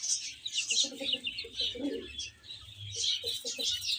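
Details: Baby chickens eating and playing: high chirps from several chicks mixed with short, low, rhythmic clucking notes repeated in quick groups.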